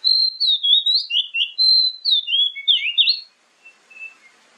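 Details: Oriental magpie-robin lure song, played morning and evening to prompt other birds to answer: a fast run of clear whistled phrases, sliding and warbling notes in quick succession for about three seconds, then a few faint notes.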